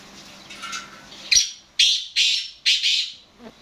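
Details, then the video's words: Black francolin, known locally as kala teetar, calling: a faint note, then four loud, coarse, grating bursts spaced about half a second apart, ending with a soft low sound. "Black Francolin Calling"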